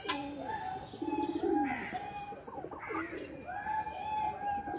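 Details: Pigeons playing in a loft make a loud, low, gurgling coo in the middle of the recording. Short fluttery calls and a steady, higher whistling tone that runs throughout are heard around it.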